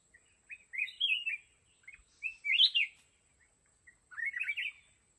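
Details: Red-whiskered bulbul used as a decoy in a fight trap set for wild mountain bulbuls, giving three short bright warbled phrases of slurred notes, each about half a second long and spaced roughly a second and a half apart, against a faint steady high hiss.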